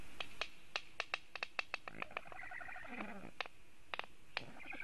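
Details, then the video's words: Nest-defending Black stork filmed by webcam in Latvia on 27 July 2018, 10:11, with a raptor nearby: rapid dry clicks and knocks in a fast series, then a short nasal, hoarse harmonic call and more clicks. "Melnais stārķis ~A raptor must be around-Nest defending~"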